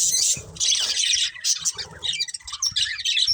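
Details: Colourful pet budgerigars, a breeding pair, warbling in fast, squeaky high chatter with soft low thumps and handling noises beneath.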